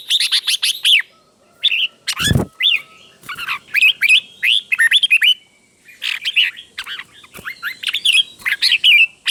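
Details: Doubled 'beun' song of a red-whiskered bulbul teacher bird, played to caged birds to copy: steady series of sharp upslurred and downslurred whistles in short bursts, one loud knock early on.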